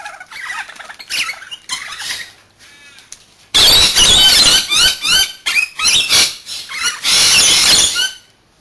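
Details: Pet Rainbow Lorikeets playing while they take turns bathing: after a softer chattering start, a long run of loud rasping screeches and squawks follows, densely repeated for several seconds.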